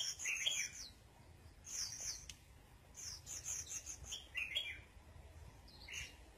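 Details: Red-whiskered bulbul sunbathing, giving short bright warbled phrases around the upper-middle range, with sharp high chirps layered above, in bursts about a second apart against a low steady rumble.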